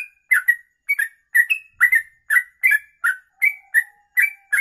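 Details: Trucuk (sooty-headed bulbul) with long rapid 'kongslet ropelan' song for tutoring: paired whistled notes, bright and slurred, repeated about every half second, with a faint steady tone near the end.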